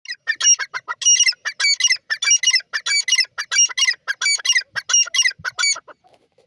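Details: Grey francolin, a native teetar, calling in a rapid, harsh series of loud repeated notes, each with a ringing upper tone, about a dozen phrases running steadily for six seconds before fading.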